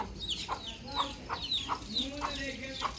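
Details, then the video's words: Outdoor baby chick chirping: a quick series of high, downward-slurred peeps, about two each second, each with a short lower click, over quiet steady background noise. "Cute Baby Chick Chirping"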